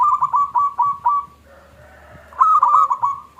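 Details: Local zebra dove singing in the small klung style, used as a lure to provoke other doves into song: clear cooing notes grouped in short bursts, a brief quiet gap, then a louder run of repeated notes.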